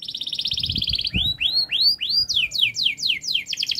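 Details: Fast, close-packed canary song for training young canaries: a rapid trill, then upswept whistled loops and a series of sharp downslurred notes about four per second, with faint low knocks underneath.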